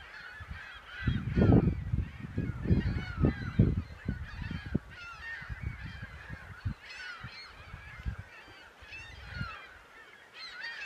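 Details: Hundreds of gulls flock over Hawkins Bay, Lake Champlain, on 14 April 2015 to feed on dying alewives, keeping up overlapping high, squealing mews and yelps over heavy low rumbling wind noise.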